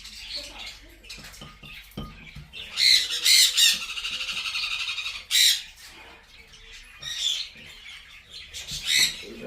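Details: A baby blue-and-yellow macaw, being hand-fed at a Florida pet store, gives harsh, buzzy begging squawks in bursts, with quieter rasping between them and faint background music.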